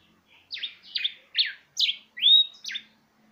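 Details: A canary × yellow cardinal hybrid, recorded February 2019, sings a quick phrase of six clear, downward-slurred notes, with one rising whistled slur near the end. Nothing else is heard.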